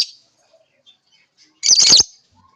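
A lovebird gives one shrill, harsh burst of chirping lasting under half a second, after a faint brief chirp at the start; otherwise quiet.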